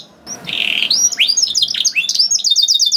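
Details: Short burst of canary song intended to trigger singing in other canaries: a gritty buzzing note, swooping upslurs, then a quick run of sharp repeated chips.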